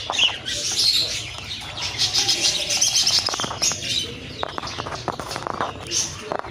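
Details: Cockatiel described as not in the mood, giving harsh scratchy high calls and chatter in bursts, with flapping and clicking sounds throughout.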